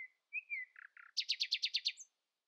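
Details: Early-morning common nightingale song, sung to outdo rivals: a few soft slurred whistles and two low buzzy notes, then a fast, loud, rattling trill of about eight notes ending in a high flick.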